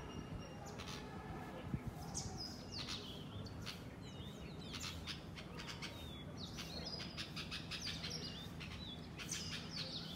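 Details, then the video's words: A flock of wild house sparrows in a garden. Many short, bright chirps overlap throughout, sounding busy and continuous over a low, steady background rumble. "Chirping Sparrows"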